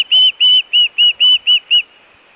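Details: Nest-camera recording of an Osprey at Hellgate, 24 June 2017, during fish calling and alert calling: seven loud, slightly downslurred whistled notes in a brisk series, then silence.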